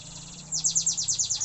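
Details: Canary learning to sing vigorously: after a brief quiet start, a fast run of high, downward-sweeping whistled notes repeated about eight times a second.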